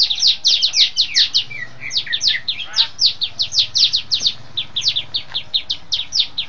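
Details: Bar-winged prinia (ciblek putih), a caged bird in training for contests, calling in a fast stream of piercing, downslurred chips, some clustered in quick doublets, repeated steadily throughout.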